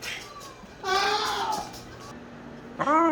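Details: Male Moluccan cockatoo kept as a pet, talking and making noises: a sustained, nasal harmonic wail, then a quiet pause and a sudden rising squawk at the end.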